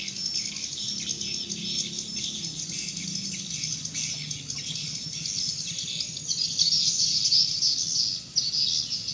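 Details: Swiftlets gather in the evening before entering their nesting house, giving a continuous stream of high twittering chirps that swell louder toward the end. A low hum runs underneath.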